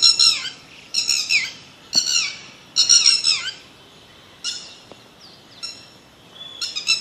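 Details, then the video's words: Loud, hoarse bird squawks arrive in quick bursts at first, then thin out to softer, shorter calls and a few faint notes toward the end. "BIRD SONG"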